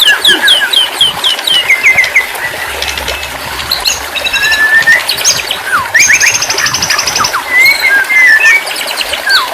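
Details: Varied white-rumped shama song meant as therapy for stressed, non-singing shamas: quick repeated whistles, buzzy high trills and sweeping slurred notes in changing phrases.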